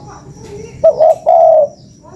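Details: A single spotted dove cooing phrase used as a lure: a short sharp note, a brief coo, then a longer mellow coo that falls slightly at the end, against quiet background.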